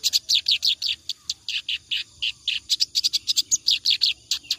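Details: Clamorous reed warbler singing nonstop as a model for teaching other songbirds; an unbroken stream of rasping, churring notes repeated several times per second, harsh and loud throughout.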